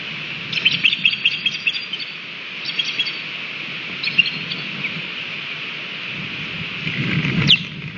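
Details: Osprey alarm at a nest in Latvia, breeding pair in the 2020 season, 13 June around midday: bursts of short, sharp high chirps in quick succession early on, a few scattered chirps later, then one shrill downward-sweeping note over a low rumbling background.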